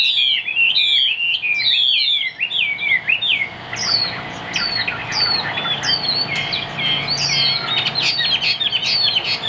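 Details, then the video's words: Caged Chinese hwamei in Vietnam pouring out energetic song: dense looping whistles at first, then spaced, sharp downslurred notes and chattering phrases. "Bộ khủng hót cực tốt, đuôi lá vả, hót cao cầu | Họat Họa Mi"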